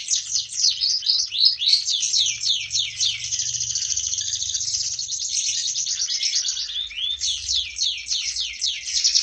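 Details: Canary described as an award-winning, prolific singer, delivering a dense, continuous high-pitched song of rapid trills and chattering rolls with fast repeated sweeping notes and no pause throughout.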